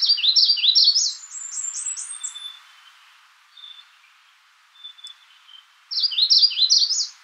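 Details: A Magnolia warbler's fast string of bright, high, down-slurred notes, a pause with faint distant chirps, then another quick loud run of similar notes.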